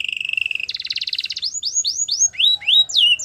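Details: Canary song opening with a fast even low trill, switching to a dense higher rattle, then a series of rising whistled sweeps about three per second, ending in higher sliding notes.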